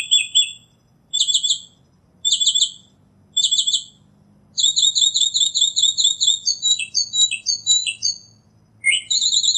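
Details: Northern mockingbird repeating a short double-noted phrase four times, then launching into a long, fast string of bright chirps that shifts into looping whistled notes before another phrase type begins.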